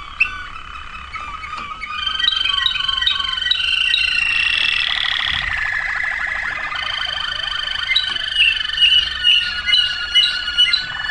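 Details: Waterslager canary song recorded in 2009, running from bubbling watery notes into a long rolling trill and then to clear whistled phrases, steady and loud throughout.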